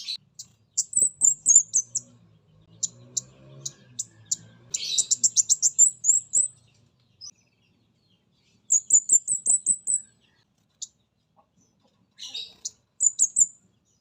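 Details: Orange-headed thrush, mountain spotted form, lure recording: scattered single high clicks building into rapid strings of shrill, descending notes, then several short repeated bursts with pauses between.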